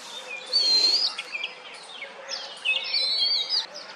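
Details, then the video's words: Oriental magpie-robin in courtship on a wooden stump, calling out to females; two long, bright warbled whistles that waver up and down, each lasting about half a second, separated by quieter chirps. "Oriental Magpie-Robin poops while making mating calls!"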